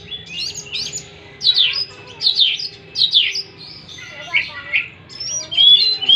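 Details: Oriental magpie-robin lure song to coax a stressed bird back into singing: rapid series of sharp, downslurred chirps in quick bursts, closing with high sweet whistles.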